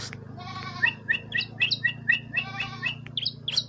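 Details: Ciblek, or bar-winged prinia, giving a fast series of sharp, two-toned chipping notes mixed with raspy buzzes, about four notes a second, over a steady low mechanical hum.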